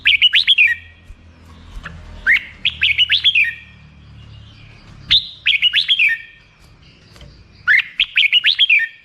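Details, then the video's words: Repeated bubbling phrases from a Red-whiskered bulbul, each a tight cluster of bright, fluty notes, sung roughly every two to three seconds. "suara burung merbah jambul"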